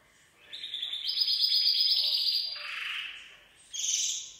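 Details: Gloster canary, full song: a fast, steady, high rattling trill gives way to a lower, throaty warbled roll, then a short, bright, high trill bursts in near the end.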